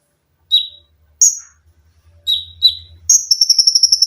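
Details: Tutor recording of an olive-backed sunbird: a few shrill, sliding high notes, then a fast, even, buzzy trill like a sewing machine, over a faint low hum.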